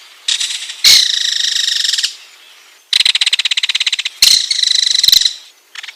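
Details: Ringed kingfisher giving harsh, dry rattles of rapid clicking pulses, high and even in pitch, in four bursts of about one to one and a half seconds each, separated by short pauses; no other sounds.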